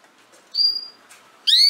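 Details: Female canary with a thin, level whistled note, then a loud, bright, rising chirp rich in overtones.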